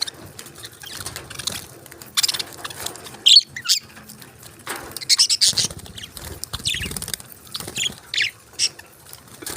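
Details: Tiny budgies chirping: scattered short, high, scratchy chirps and brief noisy bursts come irregularly, with quiet gaps and faint rustling between them.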